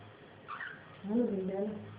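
Grey parrot gives a brief high squeak, then a lower, voice-like wavering sound lasting under a second, almost like talking; quiet room background.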